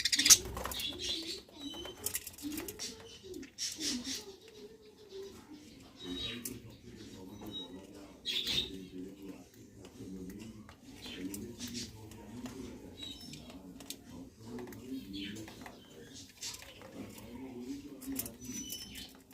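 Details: Budgerigars, including a black-face budgie, eating, give scattered sharp, high chirps over a steady low, throaty cooing murmur.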